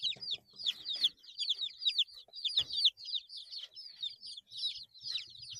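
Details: Eight-day-old baby chicks chirping together, a dense stream of high descending peeps overlapping constantly with brief quiet gaps.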